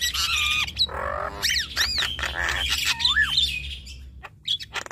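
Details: A male and female Javan myna sing together, unloading their repertoire: long grating rasps alternate with clear downslurred and looping whistles, the chatter fading toward the end.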